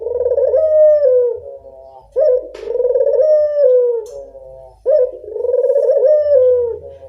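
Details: Spotted dove, local bird, cooing as a lure: smooth, mellow hoots that rise gently then sag, about two per five seconds, with a brief click and low murmurs between.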